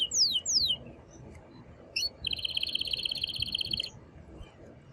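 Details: Male canary singing strongly to stimulate the female to mate and for chicks to hear: two steep downslurred whistles, a short note, then a sustained high buzzy rolling trill about a second and a half long.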